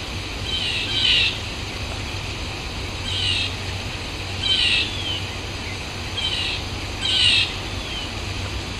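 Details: A blue jay, said to be in the wild, gives five harsh, raspy calls at uneven gaps of one to two seconds, over a steady low hum.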